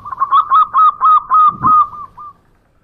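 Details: Local zebra dove singing vigorously in the ngowor koar-koar style: a quick run of six bright, even whistled coos on one pitch, each slightly rising, then a faint trailing note, with a low rumble underneath.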